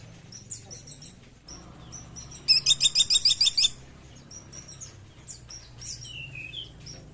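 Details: Sunda pygmy woodpecker giving a loud, rapid burst of about eight sharp, high ticking notes lasting just over a second, with fainter chirps and whistles from other small birds before and after.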